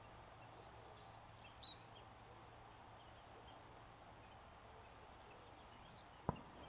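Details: A male common reed bunting singing at Forfar Loch, with no replies heard, gives a brief, jerky song of a few high, thin notes, repeated after a long pause over steady background hiss.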